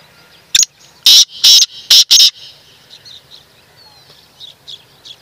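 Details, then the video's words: Black francolin (kala tetar) giving a loud, harsh, grating call of about five clipped bursts packed into little more than a second, followed by faint, scattered chirps over a quiet background. "Kala tetar"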